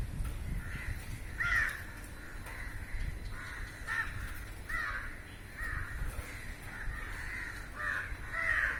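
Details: Many crows gathered in a row on a rooftop, calling while feeding on flying insects; hoarse caws repeated roughly once or twice a second over steady low rumbling background noise.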